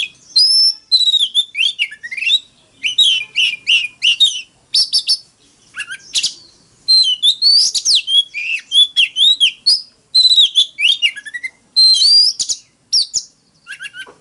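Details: Oriental magpie-robin in fighting song: a long, loud run of varied whistled phrases, sliding and warbling notes in quick groups with brief pauses between them.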